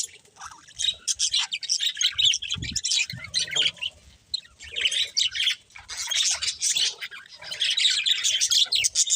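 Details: Pet budgerigars chirping: dense, continuous chatter of scratchy, warbling chirps and squawky notes, several birds overlapping with only brief pauses.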